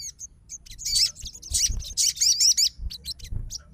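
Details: Sogon, a fighter bird, answering another sogon's song straight away: dense bursts of high, sharp chirps and twittering trills in quick runs, with faint low background rumble.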